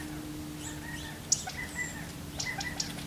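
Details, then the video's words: Quail in the San Fernando Valley, California, filmed 4 August 2024, calling when the coast is clear to come drink water safely from hawks; short flat whistled notes in small groups, a few sharp clicks, over a steady low hum. "Oops! It's QUAIL Which Make That 'Woodpecker' Sound!"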